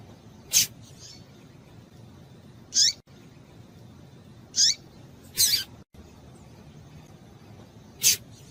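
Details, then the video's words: Female double-collared seedeater in breeding condition, calling to stimulate males: short sharp high chirps, some with a downward-swept tail, spaced one to two seconds apart over a steady faint hiss. "fêmea de coleiro quente para esquentar coleiro"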